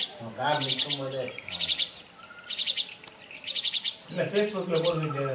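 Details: A juvenile jungle myna at Kodaikanal gives bursts of harsh, rasping chatter in quick pulses, alternating with lower nasal, warbling notes.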